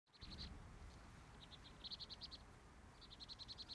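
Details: Sparrows in a morning chorus, giving high chirps in quick bursts of five to eight notes, pausing between runs over a steady low rumble of background noise.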